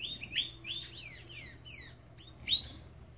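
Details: Belgian canary kept in an aviary, giving a quick series of falling whistled slurs and sharp chirps, bright and high, with a steady low hum in the background.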